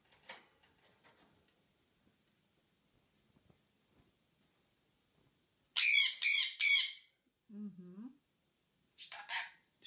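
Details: Sun conure kept as a pet and known to say "что", "что там" and "пока-пока". After near silence, a loud burst of three harsh, raspy squawks arrives close together, then a lower brief mutter and a last shorter rasping call.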